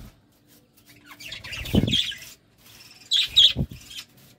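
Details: Budgerigars at love time give two bursts of squeaky, buzzy chirps about a second and a half apart, each with a soft low thud.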